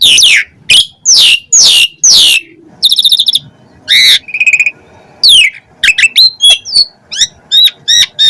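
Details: Asian pied starling in chattering, fill-packed song: loud descending whistled sweeps, a buzzy pulsed burst, clear rising whistles and quick varied chirps with sharp gaps between phrases.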